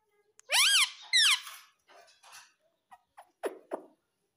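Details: Green ringneck parrot kept as a pet indoors. Two loud arched squawks come close together, then fainter short scratchy notes and soft clicks.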